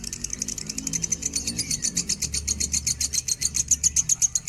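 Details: Minor lovebird singing in standard pitch as a tutor song: rapid shrill chirping repeated about four times a second, growing louder and more regular toward the end, with faint low mechanical noise early on.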